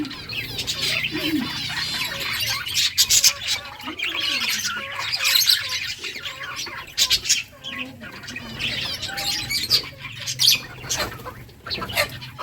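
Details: Budgies playing in a breeding colony keep up a long, lively chorus of squeaky chirps, warbles and short squawks, with some wing flutter and a low background hum.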